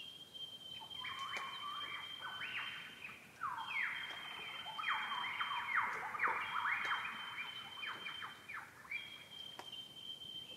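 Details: Several male Superb Lyrebirds, near and distant, rehearsing songs at dawn on a wintry morning in mountain gullies of Gippsland, Australia: a rich, echoey run of loud varied phrases and sweeping notes over a steady high insect-like whine, with icy drips.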